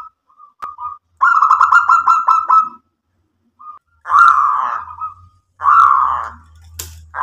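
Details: Local zebra dove cooing energetically, provoking other doves to answer. Short soft notes open, then three rich, rolling cooing phrases of rapid pulsed notes, each about a second or more, with a low hum beneath the later ones.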